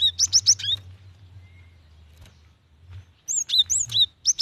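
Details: Female cinereous tit calling a male, used to prompt wild or young birds to sing: quick bursts of four high, thin, slurred chirps, a pause of over two seconds, then a second rapid burst.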